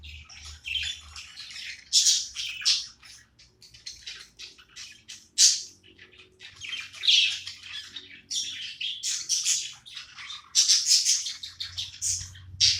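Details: Budgerigar kept as a pet, chattering while playing: a long run of sharp, scratchy chirps and squawks in uneven bursts, some loud and clipped, others soft and rapid, with brief pauses between, and a faint low hum at start and end.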